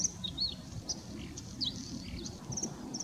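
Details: A Bluethroat in the Großes Torfmoor bog, Hiller Moor, North Rhine-Westphalia, Germany, gives faint, high, thin chirps and short squeaky notes scattered irregularly over a steady low rumble.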